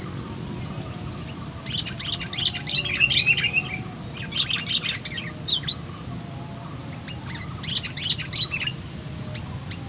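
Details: Sooty-headed bulbul kept as a lure bird, described as lively and very vocal: clusters of quick chirpy notes, some falling, come in bursts around two, three and eight seconds over a steady high insect drone and low background rumble.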